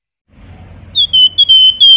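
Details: Javan white-eye whistling in the 'flamboyan' style, kept as a tutor bird for contest singers: a soft low room hum, then a brisk string of clean, high, steady whistled notes, the last ones drawn out.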